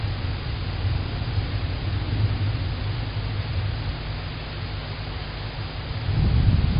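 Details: A low engine-like rumble and hiss continue, swelling louder near the end, without any animal voice.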